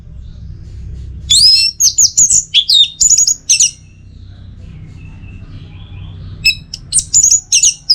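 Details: Tutor and lure song of an orange-headed thrush from Singaraja, North Bali: a long energetic phrase of sweeping high whistles and quick chirps, a quieter gap, then another fast burst of bright slurred notes.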